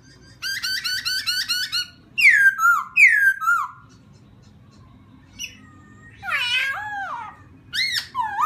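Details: Laughingthrush singing to provoke a rival: a run of rapid stacked chirps, two loud downward-sweeping whistles, a pause, then warbled, wavering notes and sharp downslurs over a faint low hum.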